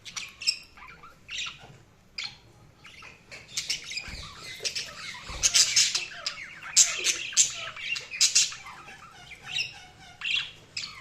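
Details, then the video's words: Busy budgerigar chatter, harsh squawks and quick high chirps growing denser and louder midway, then thinning to scattered notes. "Budgies Sounds| Budgies Chirping sound"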